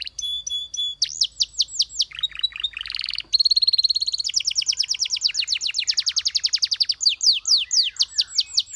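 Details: Belgian canary singing loudly: looping whistled notes and chirps, then a long, very fast trill of sharply descending notes, closing with rising curled whistles repeated several times a second.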